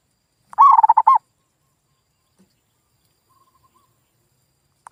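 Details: Lure call of a zebra dove, meant to make quiet local doves answer: one short rolling coo of rapid wavering notes, then silence, with the start of a second phrase at the very end.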